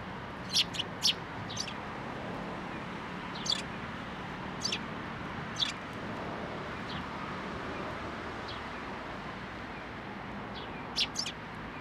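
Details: Sparrows come to a fence post at a Tenmangu shrine for food on 21 April 2023. About a dozen short, scattered chirps stand out over steady low background noise.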